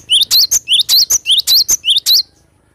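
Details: A cinereous tit in full, energetic song gives loud, ringing two-part phrases, a piercing high note then a lower upward-sweeping chirp, rattled off rapidly and evenly for about two seconds before stopping.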